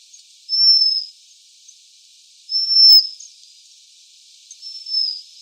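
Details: Waxwing uttering three drawn-out, very high, thin trilled notes about two seconds apart against faint background hiss.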